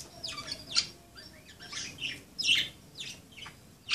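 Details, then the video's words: Playing budgerigars give a run of buzzy, downward-sweeping chirps and scratchy squawks, close together, against faint room noise. "Pericos australianos jugando"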